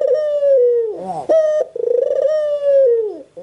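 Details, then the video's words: Caged white Barbary dove cooing: a long steady note falling at the end, a quick bent note and bright bleat, then a long purring coo that trails off downward. "SUARA BURUNG PUTER PUTIH"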